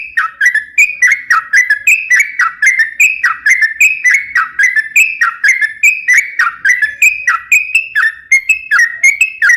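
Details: Lively sooty-headed bulbul song meant for luring and training other birds: a long unbroken string of rich whistled phrases, each a sharp dip then bubbling rise, repeated rapidly about twice a second.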